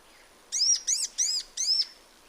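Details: Sunbird in its natural habitat giving four sharp, arched high chirps in quick succession, each a bright down-curving note, over a faint steady hiss.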